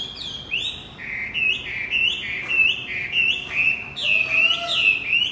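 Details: Javan white-eye song to lure a male that has fallen silent: a brisk, continuous chain of bright, sharply slurred chirps and whistles at an even pace.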